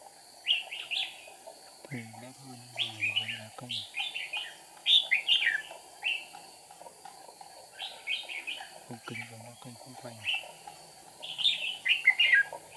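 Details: Red-whiskered bulbul singing as a decoy at a trap on 8 April 2019 while flicking wings and tail; repeated warbled phrases throughout, with a man talking twice in the background.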